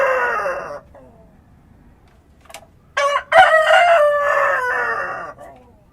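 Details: Rooster crowing at dawn on a country farm: the falling tail of one crow opens the recording, then about two seconds of near silence with a faint click, then a second full crow with a clipped start and a long hoarse note.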